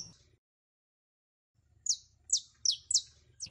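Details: Female canary in heat calling for a mate, with a short silence followed by five loud, high, downward-sweeping chirps in quick succession over a soft low hum.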